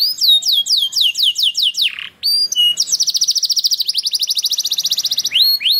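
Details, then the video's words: Canary song played so other canaries answer and sing: a string of fast falling whistles, a short pause, then a long even high trill of rapid repeated notes, ending with upswept whistles. "Sekali Putar Kenari Lain Langsung Nyaut Bunyi Gacor || Voice of Canary"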